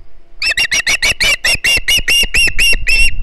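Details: Noisy young Osprey on its Hog Island nest in September 2019, calling for fish: a fast, steady series of shrill, slightly wavering piping notes, about a dozen in three seconds, with faint low rumble beneath.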